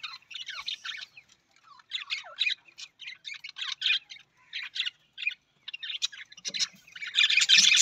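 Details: Budgerigar warbling in a steady stream of quick scratchy chirps and squeaks, rising and falling in short runs, ending in a louder harsh rasping outburst.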